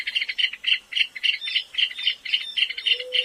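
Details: Trilled song of a small, shy South American rail found in drier habitats: rapid, uneven clicking notes with a tinkling edge, stuttering in short bursts, with a faint low hum near the end.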